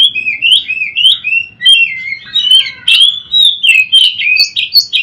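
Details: Kacer, the Oriental magpie-robin, singing in a daily mastering recording meant to train other birds: bright whistled and chattering phrases, some downward slurs and sharp accents, delivered in bursts with brief dips between them.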